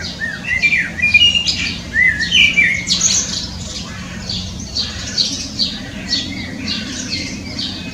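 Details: Melodious song of a common blackbird. Rounded, slurred whistles open the clip and are followed by rapid high chirps and squeaks, repeated in loose bursts over a faint background hum.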